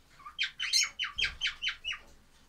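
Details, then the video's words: Lovebird chicks give a string of seven short, bright squawking chirps, about five per second, each note sliding downward, with a soft low bump beneath the middle of the series. "love birds baby"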